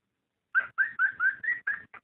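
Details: Short burst of a cockatiel's breeding call: after a brief silence, seven loud, clear whistled notes in quick succession, the later ones slightly higher and slurred upward.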